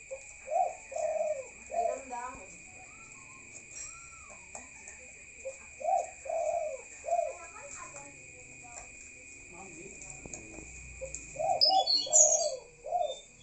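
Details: Night-time calls of a spotted dove: husky, low coo phrases of two or three notes, repeated in groups every few seconds. A steady high whine is underneath, and brief high chirps come near the end.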